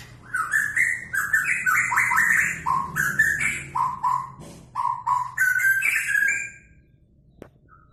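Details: White-rumped shama singing: a rich run of varied whistled phrases, short rising and falling notes in rapid succession with brief high chips above, pausing near the end before one sharp click.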